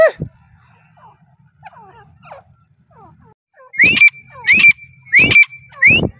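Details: Partridge (teetar) heard after faint scattered chirps and low hum: four loud upslurred whistled notes, each with a clipped ending, repeated about every two-thirds of a second.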